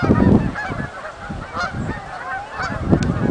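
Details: Several Canada geese coming in to land at a marsh, giving loud overlapping nasal honks, with low wind-like rumble underneath and a few sharper calls near the end.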